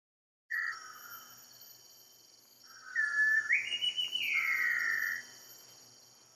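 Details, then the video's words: Large wren-babbler in Malaysia giving clear, loud whistles: a short note, then a longer phrase that rises and falls, over a steady high insect drone. "Large Wren-Babbler"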